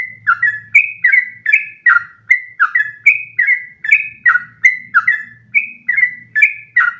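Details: Continuous song of a Sooty-headed bulbul, used to train other birds to sing long phrases in one breath; steady stream of bright, downslurred whistles about two per second, over a soft low rumble.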